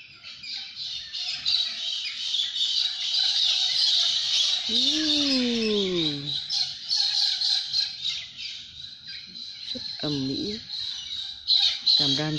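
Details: A flock of cockatoos screeches nonstop on a Sydney street in early morning, as happens every morning, perching on power lines with grey parrots; a dense wall of harsh, grating squawks, and a man's voice cuts in briefly twice.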